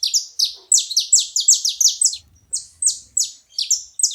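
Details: Making noise at a feeder, a saffron finch pours out quick, ringing high chips that slur downward, tightly packed at first, then more spaced, with brief low thumps midway.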